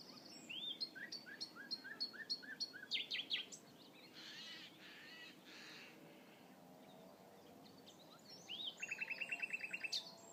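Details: Spring song of a common nightingale on a hunting concession: rising whistled notes repeated in a series and a short sharp flourish, a gap with broad noise, then a fast dry rattling trill, all over constant background hiss.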